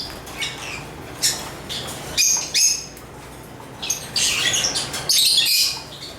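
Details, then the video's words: Scattered shrill chirps from African lovebirds, a few sharp notes early on, then a denser run of buzzy, squeaky chatter near the end over a low steady background hum. "African Love birds Agapornis chirps singing sounds"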